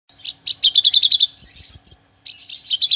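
Javan bush lark song: rapid, bright, high chirping notes in quick runs, a brief thin trill, then more sharp chirps after a short pause.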